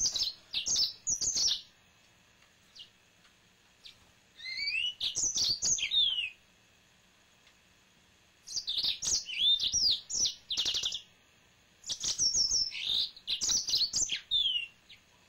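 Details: Male yellow-fronted canary kept as a pet, singing four bursts of rapid, high, twittering notes with sweeping slurs, separated by pauses of a second or two; quiet room otherwise.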